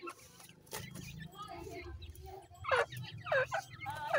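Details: Pheasant chicks while feeding: after a quiet, murmuring start, loud downward-sweeping peeps come in short bursts near the end, three clusters about half a second apart, over soft tapping and low background noise.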